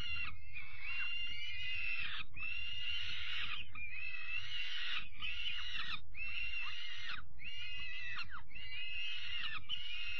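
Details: Peregrine falcon nestlings receiving their evening meal, 5 May 2021; insistent rasping screams in rapid successive bursts, with brief pauses and occasional clicks, against a low steady rumble.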